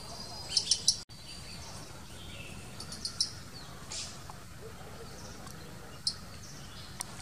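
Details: Blue-capped rock thrush (Monticola cinclorhynchus) gives short, high, sharp call notes: a quick cluster of three, then single notes spaced a few seconds apart, over a steady hiss of outdoor noise.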